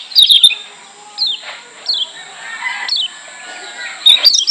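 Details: Lombok white-eye (kecial kuning), recorded as a masteran to provoke rivals: short chattery bursts at start and end, with single thin down-slurred notes spaced about a second apart between them.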